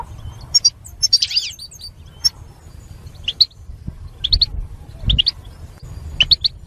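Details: European goldfinch singing, used to motivate goldfinches to sing: a buzzy, warbling burst early on, then sparse sharp chirps in pairs and small groups against a quiet low background hum.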